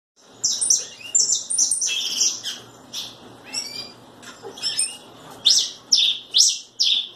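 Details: Red pileated finch giving bright high chirps in short clustered phrases, with brief pauses between bursts and a quiet background.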